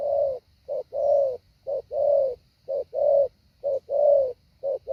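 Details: Decoy spotted dove in 'hạ bổi' training: strong rhythmic coos, each short note answered by a longer rounded one, about five pairs in five seconds, evenly spaced.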